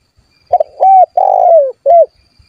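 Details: Spotted dove calling rivals to make them respond, sound meant to lure wild doves closer: a single mellow phrase of stuttered start, even coo, long trembling descending coo, and a short ending note, in quiet surroundings.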